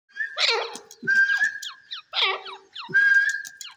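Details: Partridge, described as an Irani Dakni teetar, giving loud harsh calls in two bursts, each a rough noisy phrase followed by a clear, steady whistled note held for about half a second, all within four seconds in a quiet indoor-sounding setting.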